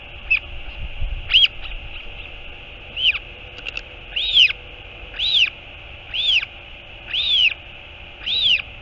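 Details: Royal albatross at a nest in the colony at Taiaroa Head near Dunedin, New Zealand, as the mother arrives; a series of rising-then-falling whistled calls, about one each second, with a few short clicks between.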